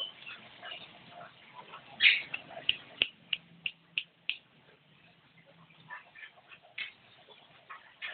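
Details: Javan myna chattering in gacor style: a loud screech, then a row of sharp clicking ticks, each about a third of a second apart, then softer scratchy notes trailing off.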